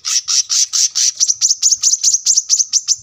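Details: Brown-throated sunbird singing constantly, recorded as a training track for caged birds at a roadside home: a fast series of high, sharp, buzzy chips. About a dozen notes run at an uneven pace, each sliding downward.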